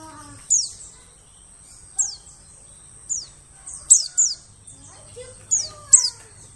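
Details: Forest bird lure of a white-eye: piercing high notes dropping steeply in pitch, spaced irregularly with some quick doubles, and faint lower chirps from other birds between them.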